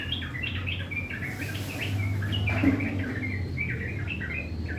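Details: Sooty-headed bulbul, a kept bird in regular care, singing its rough chattering 'ngriwik' song in the morning: rapid, scratchy, high chirped phrases run together almost without pause, over a steady low hum.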